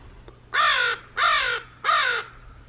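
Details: American crows, rescued birds kept up north in early spring, calling to each other to signal where they are when not flying together; three harsh, hoarse caws about half a second each, spaced roughly every 0.65 seconds, with a low steady hum beneath.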